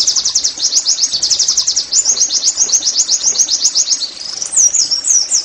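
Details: Oriental white-eye singing to encourage caged birds to sing: a dense, continuous stream of very high, rapid chirping twitters, ending with several sharper looping whistled notes.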